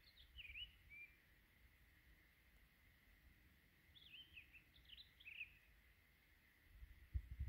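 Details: Townsend's solitaire singing from a treetop in winter, guarding its territory of juniper berries against other solitaires; two separate bursts of quick, sweet warbling notes with a long quiet gap, low wind and a thump near the end.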